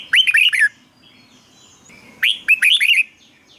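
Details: Red-whiskered bulbul singing clear, rolling whistled phrases of four to five notes, two phrases close together, used to stimulate caged birds.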